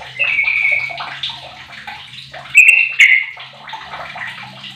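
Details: Sooty-headed bulbul, fifteen years old and used as a lure for other bulbuls to sing; a drawn-out whistle, soft chatter, then two loud slurred phrases with clicks, over a steady low hum.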